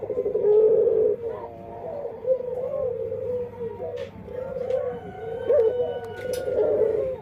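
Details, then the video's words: Dove singing in an unusual, unique voice, said to sound very different from other doves; a run of wavering, throaty coos rising and falling, with a few faint clicks and taps in the background. "Suara Unik Burung Puter // Unique Sound Singing of dove"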